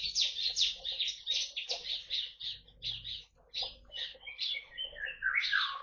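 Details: Bar-winged prinia in a colony aviary in East Kalimantan, Indonesia, housed with white-eyes and finches, pours out a dense stream of rapid high sharp notes, ending in a descending jumble of twitters.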